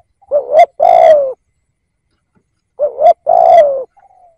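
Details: Decoy spotted dove cooing to draw in wild birds. Two matching phrases about two and a half seconds apart, each a brief wavering note followed by a drawn-out mellow coo, with quiet gaps.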